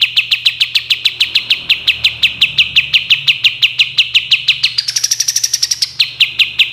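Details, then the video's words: Sooty-headed bulbul in a clear training recording for cage birds, giving a fast, even series of sharp high chips, several per second, that briefly rises into a higher buzzy stretch before returning to the steady chipping; faint low hum beneath. "masteran suara burung kapas tembak jernih"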